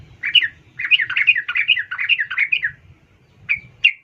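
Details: Sooty-headed bulbul female calling a male, played to provoke males into singing; a dense run of quick chattering chirps, then a pause and two separate notes near the end, with a faint low hum.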